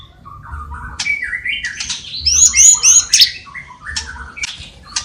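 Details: Singing white-rumped shama filled with borrowed calls of sparrow, lovebird and kapas tembak: a jumble of rising whistles, squawks and fast high chattering trills, loud and varied.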